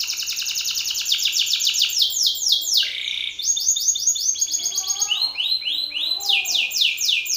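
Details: Belgian canary male challenging another male with loud song: dense rapid rolls of falling whistled notes, a drawn-out sliding note near the middle, faint lower chirps behind, low steady hum.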